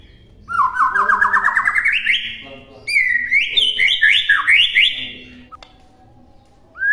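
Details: White-rumped shama model song: a fast rising trill of repeated notes, a short gap, then looping whistled phrases that swoop up and down, ending in silence and one rising whistle.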